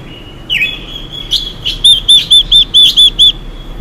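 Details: Female Chinese hwamei singing in the "xùy" style to excite male birds. One swooping whistle is followed by a steady series of eight bright, looping whistled notes, each about a third of a second apart.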